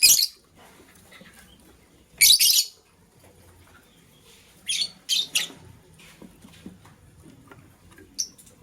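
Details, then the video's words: Green lovebird chirping in the morning beside a blue lovebird scrambling for vegetables: irregular harsh, high chirps, one loud opening burst, a double squeal around two seconds, then three shorter scratchy notes and a final thin squeak. "Green LoveBird Chirping Sound"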